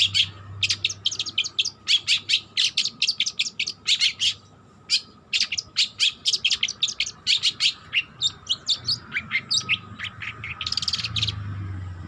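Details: Long-tailed shrike, young and learning its song, pours out long runs of clipped chirps and ticks, a brief pause, then more chattering and a harsh scratchy burst near the end; steady hum behind.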